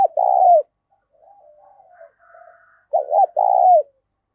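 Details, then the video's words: Spotted dove cooing in the 'thổ pha' voice style, loud and clear with little background noise: a strong low hooted note, soft murmuring notes, then a quick double coo followed by a long slurred coo. "tiếng cu gáy giọng to + rõ + ít tạp âm giọng thổ pha"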